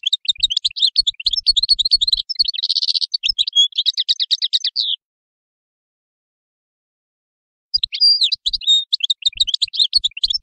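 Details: A European goldfinch delivers a long tinkling, twittering phrase with a brief buzzy rattle in the middle, falls silent for nearly three seconds, then resumes the same high jingling twitter.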